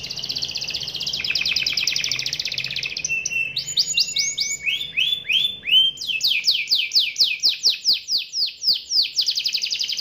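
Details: Young canary singing in the rolling 'ngerol' style: a fast buzzy trill at first, then sliding whistled notes dropping in pitch, ending in a quick rhythmic run of sharp descending sweeps.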